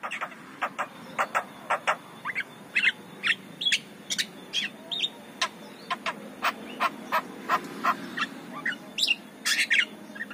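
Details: Javan myna singing lively in the morning, a recording played to lure and train other mynas; a steady string of sharp clicking notes roughly every half second, mixed with short whistled and squeaky notes over a faint low background hum.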